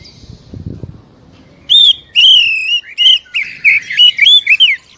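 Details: Lure recording of Oriental magpie-robin song meant to spur a slow, reluctant caged bird into song: after a second of faint low rumble, bright ringing whistles begin, followed by a quick sequence of clipped, looping whistled notes.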